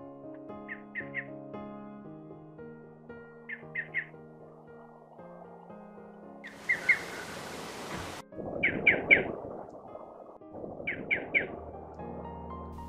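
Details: Striated Pardalote in the Top End of the Northern Territory, Australia, where its calls are three-syllabled, gives quick, high three-note calls about every two to three seconds, over soft background music with a brief burst of rushing noise.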